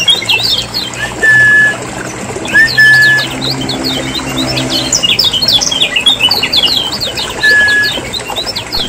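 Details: Lemon-bellied white-eye of Lombok as a lure for idle caged birds: scattered high chirps broken by three long level whistles, chatter thickening toward the end, with low humming underneath.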